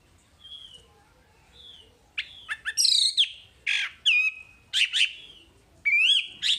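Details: Wambi masteran material: soft thin whistles at first, then loud varied phrases of sharp chirps, downslurred buzzes and ringing whistled notes, spaced irregularly over six seconds.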